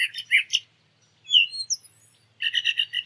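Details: Brown thrasher song fragment: a couple of throaty warbled notes, a clear gliding whistle, then a fast series of about six identical clipped notes, with a soft low hum beneath.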